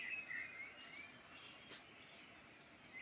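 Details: Bird chorus from the Irish Midlands, opening with clear whistled notes and a quick descending warble. It fades to scattered faint chirps with a short crackle midway and a final rising whistle.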